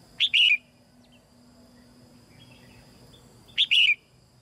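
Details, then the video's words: Red-whiskered bulbul female singing in a cage to stir newly grown birds to sing; two identical two-note whistled phrases roughly three seconds apart, with soft chirps in the quiet between. "นกหัวจุก-birds - Ep.57 - นกตัวเมียร้องเพลงในกรงเพื่อกระตุ้นให้นกที่โตใหม่ร้องเพลงมากขึ้น"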